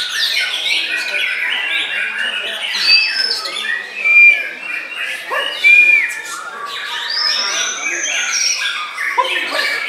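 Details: In a deep bowing posture, a white-rumped shama sings varied phrases with short ringing whistles, a long arched whistled sweep and brief chatter, over a chirping background.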